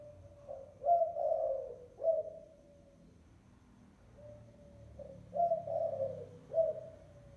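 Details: Decoy spotted dove lure call: two mellow cooing phrases about four seconds apart. Each has a short lead-in note, a louder rolling coo, then a clipped final coo. The background is quiet with a faint low hum.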